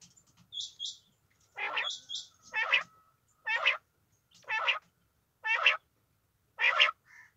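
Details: Female quail giving loud, harsh, broad calls about once a second, each a rough burst, mixed with short high paired notes from a second caller early on.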